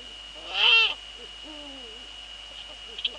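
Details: Eurasian eagle-owls in the Netherlands, 2 February 2013, 19:15, female at nest and male nearby; a loud hoarse screech, then a softer low hoot that dips at its end, with a faint click afterwards.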